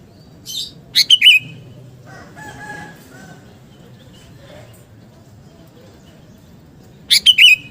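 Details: Gacor song of a kutilang garuda sooty-headed bulbul, played to build fighting spirit: a short bubbly phrase of three quick notes, a long quiet gap with faint background sounds, then the phrase again.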